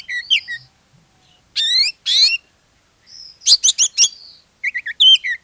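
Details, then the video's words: Oriental magpie-robin in lively full song, used as a lure to make other magpie-robins sing: short whistled notes, then rapid buzzy rising trills and a burst of sharp clicking strokes, phrases separated by brief silences, no other sounds. "SUARA PANCINGAN KACER GACOR, BIKIN KACER YANG LAIN IKUT GACOR"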